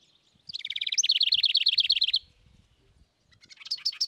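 A wren sings a loud, rapid trill of about twenty bright, high notes in under two seconds, then starts another quick burst after a short pause.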